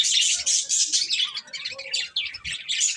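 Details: Budgies eating corn chirp in a dense, bright stream of high tweets and warbles that barely stops for three seconds, with faint low pecking beneath.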